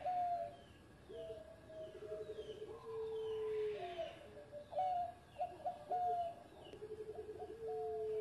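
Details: Engkel-style song from a former champion zebra dove, with overlapping gentle coos, short stuttered trills and long sliding notes that fall slightly, over constant background noise with faint distant chirping.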